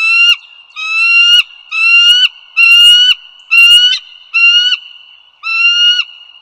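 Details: Bald eagles at the Dulles Greenway, northern Virginia, USA, recorded at 08:55 on 16 April 2022. Loud, drawn-out whistled notes, each rising slightly and rich in overtones, come about once every 0.9 seconds, seven in a row, over a constant high tone.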